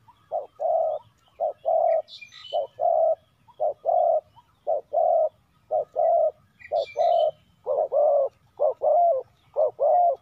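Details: Spotted dove used as a decoy, calling to lure wild doves: a steady series of low, hollow coos, about one per second, with faint higher chirps from another bird twice in the background.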